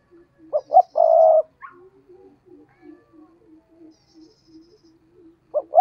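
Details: Spotted dove used as a decoy to lure wild doves, cooing: two short low hoots then a long, loud, steady coo, with soft low murmuring coos trailing afterward and the next phrase starting at the end.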